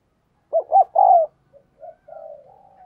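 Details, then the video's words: Spotted dove used as a decoy, cooing to urge other doves to call. Two quick hollow notes lead into a longer sliding coo. Softer, lower-level cooing trails off afterward. "Chim Cu gáy Thúc Gù Căng Đét - Chim Cu Mồi"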